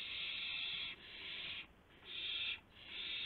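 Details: Owl at 12:25 AM, April 7, 2016, while a gopher is brought in: long, grating hiss-screeches of about a second each, three or four in a row with short dips between.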